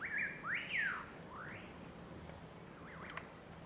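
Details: Striated laughingthrush at Chhukha Tashigatshel, Bhutan: loud clear whistled notes, rising and falling in quick arcs over the first two seconds, then softer wavering whistles against a steady hum of background noise.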